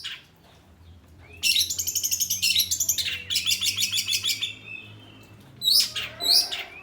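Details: Oriental magpie-robin (kacer) singing in a small room, a burst of rapid repeated chirping notes for about three seconds after a quiet start, then two sharp rising calls near the end; a low hum underneath.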